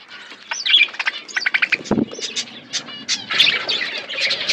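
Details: Aviary budgerigars in a forest setting chirp in quick bursts of short, bright notes and warbled twitters, several birds calling over one another almost without pause.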